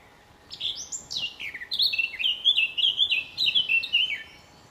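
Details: Territorial male blackcap singing at RSPB Fowlmere in May; a soft scratchy start rising into a loud, rich run of fluted whistles, repeated quickly and ending abruptly.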